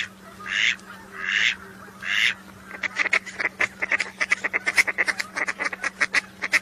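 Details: Whistling duck (belibis) call sound from a hunting and pest-control context: three breathy, hissing bursts, then a fast run of about a dozen thin, high whistled chirps in three seconds, over a steady low electrical hum.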